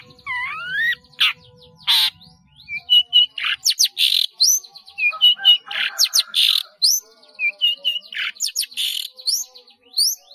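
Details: Caged-bird training recording of a long-tailed shrike singing busily with many borrowed fill-in phrases: looping whistle at the start, then a rapid stream of sharp chips, buzzy bursts and short clear whistles with almost no pauses.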